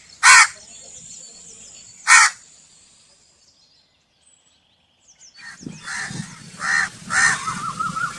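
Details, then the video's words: Crow with two sharp, loud caws about two seconds apart, then a pause and a later series of three rougher caws over low rumbling noise. "Crow Calling Sound 🐦 2026| Real Crow Voice HD | Attract Crows Fast Crow Sound Effect (Caw Caw)"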